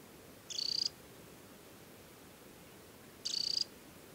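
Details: Two brief shrill trills, a few seconds apart, from an adult summer Temminck's stint wearing leg bands on the Hardangervidda plateau at Tinnhølen lake, Norway, in early July; faint background rumble.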